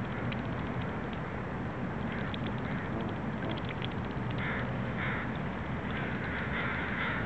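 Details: Feeding Canada geese in Vanier Park, Vancouver, recorded November 23, 2012, with two separate nasal honks followed by a longer drawn-out honk near the end, over dense steady background noise.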